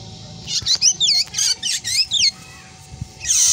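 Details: Black drongo, a bird known for mimicking a cat's meow and other calls; a rapid run of high, looping whistled notes, each arched and bending, about eight in two seconds, then a brief pause and a high buzzy burst.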